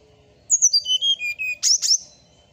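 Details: Brown-chested Jungle Flycatcher (srdc) in the morning, giving six pure whistles that fall step by step, then two loud, harsher high notes to close the phrase.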